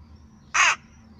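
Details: A rook on a balcony gives one loud, hoarse, grating caw lasting about a quarter second over faint low background hum.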